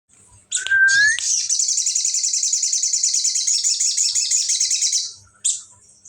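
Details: Sooty-headed bulbul singing a ciblek imitation: a single rising whistled note, then a long, high, rapid buzzy trill held for about four seconds, ending with one short sharp note.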